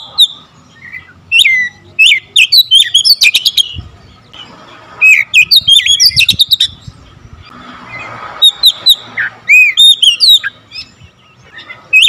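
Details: Oriental magpie-robin in full voice, firing rapid varied fill-in song in several bursts: sharp clicks interleaved with whistled slurs, brief gaps between phrases, and a closing run of arching whistled notes.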